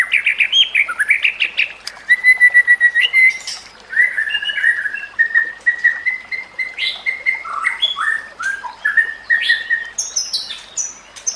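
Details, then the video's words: Murai batu, white-rumped shama, singing for use as a training master: long sequence of rich whistled phrases, steady rising notes, trills and sharp chips without break. "Masteran Murai Batu: Teknik Terbaru untuk Meningkatkan Gaya Berkicau"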